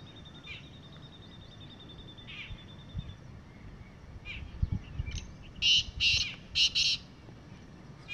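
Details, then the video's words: Black francolin, wild and on the ground, calling in the evening: after quiet scattered chirps and rustles, a loud rasping phrase of four buzzy bursts arrives in two close pairs near the end. "Kala teetar ki Awaz | Clear Voice of Kala Teetar"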